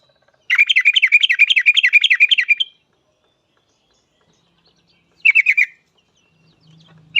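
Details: Yellow-vented bulbul used to lure other bulbuls into singing quickly: a fast two-second chattering trill of evenly repeated notes, then a short burst of the same trill and a third beginning at the end.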